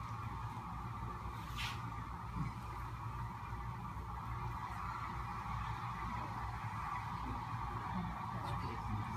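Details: A huge flock of sandhill cranes that has just flown up from its river roost calls, their rolling, trumpeting voices blending into a steady, unbroken roar over a low background rumble.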